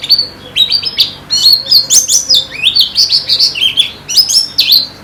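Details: Training recording meant to get white-eyes (pleci) singing actively: a continuous bright chatter of short, high, sharply inflected notes, delivered rapidly with brief breaks, faint background hum.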